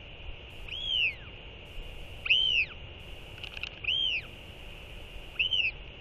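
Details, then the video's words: Northern royal albatross pair skycalling to one another after feeding their chick, 4.9.24. Four arched, whistled calls, each rising then falling, come about every one and a half seconds over a steady high hum. "Royal Albatross ~ TF & TFT Skycall One Another After LGL Feeding!"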